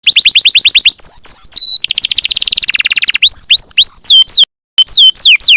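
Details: Champion canary singing steadily, a long-rolling song used as a master recording for training songbirds: fast rising strokes in a roll, then loud looping sweeps, a buzzy rapid trill, and hooked whistled notes repeated after a brief pause.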